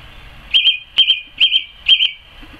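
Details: Song thrush in a garden on 12 May 2014, singing in May: one short, bright double-noted whistled phrase repeated four times at regular intervals of about half a second, with little background sound.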